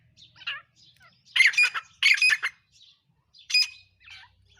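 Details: Black francolin, called kala or dakni teetar, giving harsh, grating squawky notes in uneven bursts, two loud rasping phrases in the middle with softer scratchy notes before and after, faint low hum beneath.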